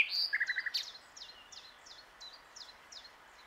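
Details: Common nightingale singing from a branch beside the lake at Plan d'eau du Breuil, Bourbon-Lancy. A loud opening note and a rapid rattling burst lead into a softer train of evenly spaced high chirps.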